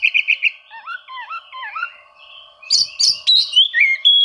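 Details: Oriental magpie-robin song aimed at rivals, a lure for birds slow to sing: four quick buzzy notes, then a series of dipping whistled slurs, ending in sharp high chips and a steady whistle.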